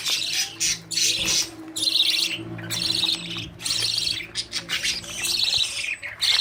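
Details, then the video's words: Young budgerigars running after parents to be fed, at the age of leaving the nest; loud rasping, squawking bursts about a second apart, broken by short pauses, many birds overlapping, faint low hum in the background. "Budgies babies running for food"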